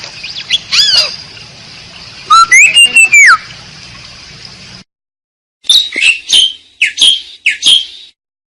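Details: Asian pied starling lure recording: slurred whistles, a loud rising-and-falling whistle, a short silence, then several harsh squawking notes.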